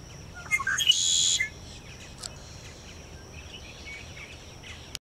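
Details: Red-winged Blackbird singing its morning song at Wakodahatchee Wetlands, Florida, around sunrise on 22 May 2012: a few short clucking notes then a loud buzzy trill, with softer chips from other birds and a steady high insect whine.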